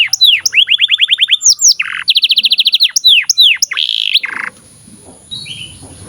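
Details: Canary in long, lively song used as a tutor for young canaries and ones that have stopped singing: rapid runs of bright falling whistles, a fast buzzy trill, then more swooping notes before fading to quiet.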